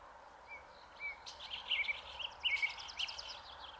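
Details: Red-backed shrike giving an exceptionally showy song that mimics other birds: a quiet, scratchy run of varied chirps and short whistles borrowed from other species, over soft background hiss.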